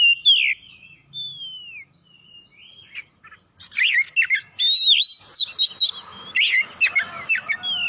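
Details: Oriental magpie-robin singing actively as a prompt for other birds: a few slow, drawn-out whistles at first, then dense bursts of varied whistled notes, quick slurs and harsh chips.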